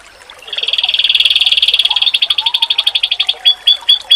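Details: Oriental white-eye masteran song, meant to make rival white-eyes reply: after a quiet start, a rapid high trill of chirps runs for about three seconds, then slows into spaced, sharp rising notes, with faint low whistles beneath.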